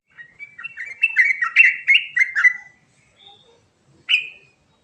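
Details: Sooty-headed bulbul in rolling song with fill-ins: a lively string of short whistled and slurred notes rising and falling over about two seconds, then quiet, one soft faint note, and a final bright upslurred chirp.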